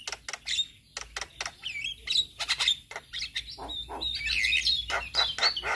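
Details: Male Javan myna song used to prompt other mynas: sharp clicking notes in quick series, then a rougher, noisier chatter mixed with whistled slurs, over a low hum.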